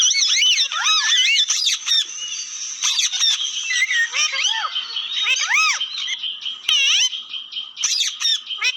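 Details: Busy parrot chatter of arched, harmonic squawks and bright whistles that rise and fall, packed closely together with scratchy, raspy fragments between them.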